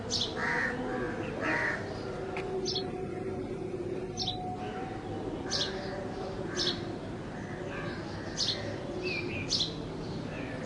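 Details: Sparrow in Bangladesh giving short, sharp chirps, single and paired, scattered irregularly over steady outdoor background noise.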